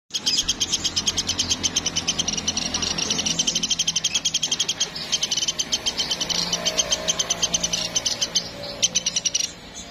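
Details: Woodpecker known as platuk, from Sampit, used to tutor cage birds: a long chattering rattle of high, clipped notes that runs for several seconds with a few short breaks, over a low hum and faint background murmur.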